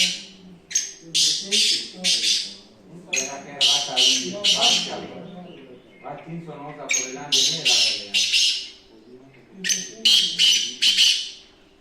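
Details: Black francolin giving loud, harsh, grating bursts of several rapid syllables in close groups, repeated every few seconds, while a man talks quietly underneath.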